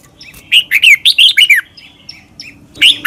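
Red-whiskered bulbul singing a quick burst of rich, bubbling whistled notes, then a pause and a fresh phrase; no other sounds.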